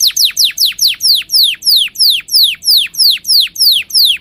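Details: Canary singing for tutoring chicks and preparing hens for breeding, a steady series of loud downward-sweeping whistled notes, roughly three each second, clear and evenly spaced.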